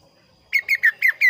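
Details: Kaso kaso bird delivering five loud, ringing, down-slurred notes evenly spaced at a fast pace, with a clean, clear tone.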